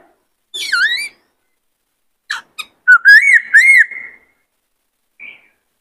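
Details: White-cheeked laughingthrush, a male in peak form used to train wild-caught birds, delivering a varied song: a swooping burst, two clicks, then a sustained whistled phrase with looping notes and a faint closing note.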